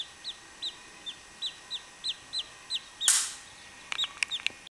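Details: Baby chachalacas calling: a series of thin, high peeps, each with a brief downward slur, repeated about every third of a second, followed by a loud rustling burst and a few sharp clicks.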